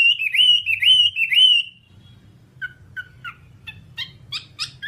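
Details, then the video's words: Whambie song used as a tutor recording for training caged birds: loud, rising-and-falling whistled phrases in quick succession, then a quieter spell of short chirps and clipped notes over a low hum. "Masteran Whambie nonstop 1 jam"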